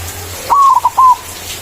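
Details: Loud white zebra dove singing manggung to call rivals, used as a lure: one sustained coo that breaks into two short notes, ending with a smooth falling coo.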